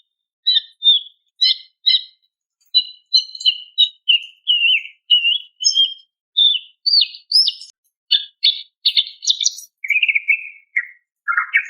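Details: Female greater green leafbird calling to a male, offered as therapy for stalled, stressed birds: rapid series of short, bright chirps and warbled notes, some doubled, ending in lower slurred whistles, with steady short gaps between phrases.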